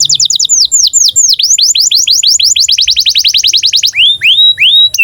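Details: Canary in breeding condition singing a 'cuit cuit' tutor song for young birds learning to sing and roll; loud high falling whistles speed up into a dense rapid trill, then ease into a few slower, longer sweeping notes.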